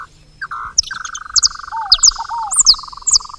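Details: Saffron finches at a feeder: a steady buzzy trill runs throughout while sharp high chirps and a couple of lower downslurred notes cut in.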